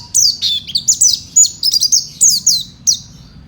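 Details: Oriental white-eye (pleci) singing in fighter style, a rapid run of high, thin chirps and down-slurred whistles delivered in quick bursts with short pauses between them, over a low steady background hum.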